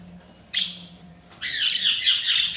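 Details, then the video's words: Budgerigars chirping: a brief burst of bright, high twittering, a short pause, then a longer dense run of rapid chattering chirps that continues to the end. "Budgies Chirping sound"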